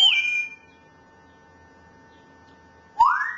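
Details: Grey parrot whistling the tune "Tulpen uit Amsterdam" in pure, flute-like notes: a falling whistle, a quiet gap with faint steady tones, then a rising whistle.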